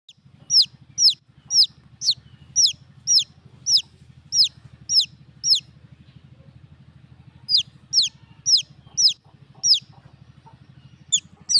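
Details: Baby chicks peeping: high, sharply down-slurred chirps repeated about twice a second in steady runs, one short break midway, over a constant low mechanical hum.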